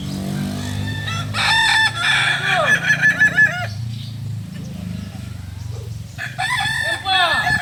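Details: Kokok Balenggek rooster, a native breed from Solok, West Sumatra, crowing at a group practice session. A burst of rapid stepped syllables runs for about two seconds, then a quieter stretch before another crow starts at the end.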